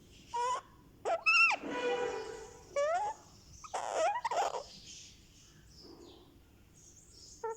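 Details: Month-old Indian ringneck parakeet chick during a head massage, giving a run of nasal squawks, a drawn-out buzzy rasp and wavering whining notes, close up indoors.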